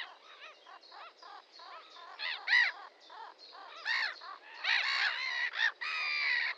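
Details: Red-crested pochard calling: a run of short, harsh, nasal notes with rich overtones, some rising and falling, growing louder toward the end, with several callers overlapping.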